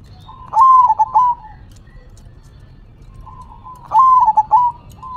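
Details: Zebra dove cooing while nodding its head: two soft, low, stuttering coo phrases of a long note broken into quick pulses, separated by about three seconds of quiet.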